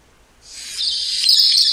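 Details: Rusty-faced Parrot call: one harsh, rasping screech that swells in loudness and holds for more than a second, clean with no other sounds.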